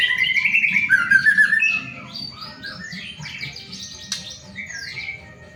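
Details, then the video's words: Lure song of a white-rumped shama, played to get other shamas singing sooner: rich whistled warbling at first, then softer, varied chirps and slurred notes climbing higher, with one sharp click near the end. "pancingan murai batu agar cepat bunyi"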